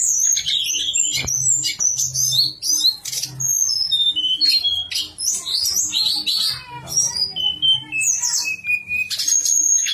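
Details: Javan sunbird in the nyuling style, used as a master recording to prompt silent birds of its kind to sing: thin, high whistled notes and short slurred trills tumbling in quick irregular bursts, over a faint low hum.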